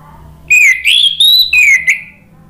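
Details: Orange-headed thrush singing in a lure recording meant to trigger song: a single loud phrase of smooth, sliding whistles rising then falling, with brief breaks between notes.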